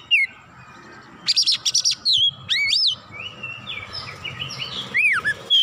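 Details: Agitated oriental magpie-robin singing its full repertoire: harsh buzzy bursts followed by looping whistled notes that rise and fall, then softer warbled phrases before a final swooping whistle.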